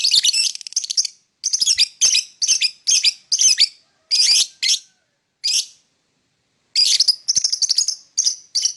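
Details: Morning chirping from a lovebird: rapid bursts of harsh, high, buzzy chirps in clusters, separated by short gaps, with a longer silence before a final run of quick notes.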